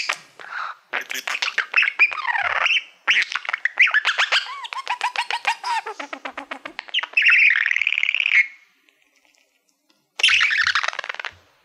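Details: Caged pet budgerigar, a male fond of mirrors, singing at a reflective plaque indoors: rapid stream of ticking, chattering notes with rising whistled slides and a harsh nasal buzz, then a brief pause and more chatter.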